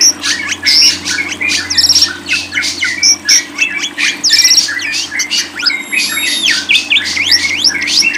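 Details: Lovebird pouring out excited, shrill chatter of squeaks, short whistles and harsh squawks in a nearly continuous rush, over a faint low hum.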